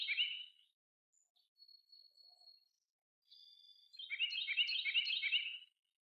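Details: A common starling (Sturnus vulgaris) in May 2023 gives a harsh, grating burst, then thin flat whistles held near one pitch, ending in a rapid run of rattling, clicking chatter.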